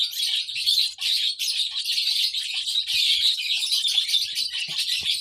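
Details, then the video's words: Bursts of piercing, rapid chirps from a baby lovebird, pulsing in loudness with brief gaps about every second. "lovebird sounds baby bird - lovebird chirping sounds"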